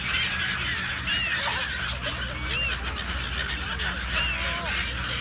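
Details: Gulls in a noisy crowd, giving many overlapping short arched and downslurred squealing calls at high pitch over a steady low engine-like hum.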